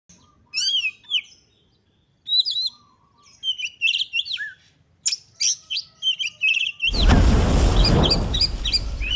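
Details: Excited Oriental magpie-robin song used to provoke other magpie-robins into singing: loud varied whistled and warbled phrases, rising and falling notes repeated quickly, ending in a burst of broad rushing noise over the last two seconds.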